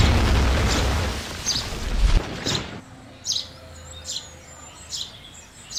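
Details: House sparrow chirps. The first half is masked by loud rushing noise, then clear, sharp single chirps repeat roughly every second against a quieter background.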